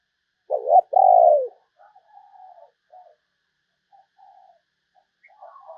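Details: Spotted dove used to lure wild doves gives one loud mellow phrase, a quick doubled note and a long descending coo, then several faint distant coos answer and trail off.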